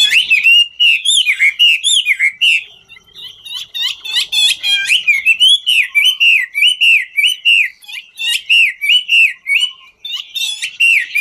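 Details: Ngũ trường song from a Chinese hwamei that sings while dancing: a long, fast flow of rich whistles, each note swooping up and dropping, mixed with brief scratchy chips and barely pausing.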